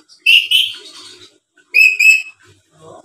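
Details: Talkative black-capped lory giving two pairs of loud, clear, piercing whistled notes, each pair quickly repeated, with a soft low murmur after the first pair.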